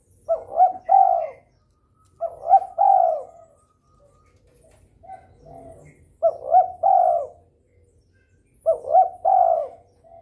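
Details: Breeding spotted dove repeatedly calling to stimulate rivals to answer. Four loud phrases roughly every two to three seconds, each a stuttering rising pair of notes followed by a long, hoarse, descending coo, with a softer coo between.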